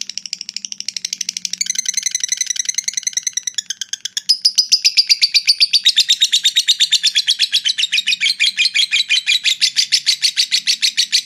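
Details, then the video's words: Lovebird's long ngekek song, used to stir up fighter birds into breeding mood: a sustained, fast chattering trill of shrill notes that stutters briefly midway, then resumes louder and runs on unbroken to the end. "suara lovebird ngekek panjang fighter bikin jebol birahi"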